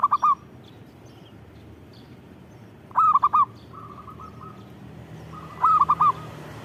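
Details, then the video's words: Zebra dove, local perkutut, singing repeatedly: tight phrases of three or four ringing coos roughly every three seconds, interspersed with a quieter, longer row of evenly spaced soft coos; low hum in the background. "Suara Burung Perkutut Gacor"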